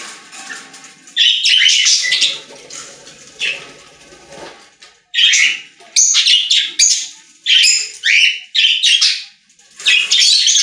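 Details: Budgerigars in a pet store: busy, scratchy chattering song in repeated loud bursts of buzzy, squeaky notes, with several birds warbling together.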